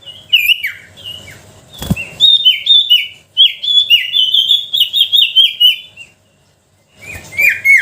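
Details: Sooty-headed bulbul lure song meant to prompt quiet bulbuls to sing: bubbly slurred whistles in a long rapid string, broken by a sharp click and a brief silence before more notes.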